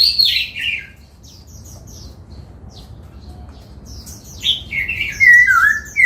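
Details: A laughingthrush in song training for the 'bắt cô trói cột' style, caged and dancing, opens with a falling whistled phrase, goes quiet with faint high notes, then ends in a long sliding warble.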